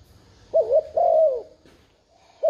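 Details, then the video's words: One coo phrase from a spotted dove, used to provoke a newly caught dove: a quick two-beat wavering hoot, then a sustained coo tailing downward. The next phrase starts at the very end. "Tiếng chim cu gáy thúc gù kích mồi mở lên bổi gáy liền"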